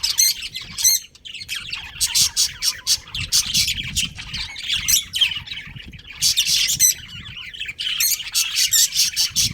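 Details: Colony budgerigars, including a breeding pair, trade rapid clipped chirps in bursts, some in quick stuttering runs, with short gaps between groups of high squawky notes.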